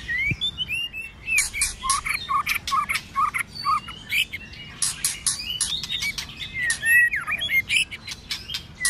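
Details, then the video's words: White-rumped shama in many-voiced fighting song, cold season: continuous harsh broadband notes with short curling whistles between them, a rapid, busy delivery throughout with a brief sweeping whistle near the end. "kích chòe Lửa hót đấu"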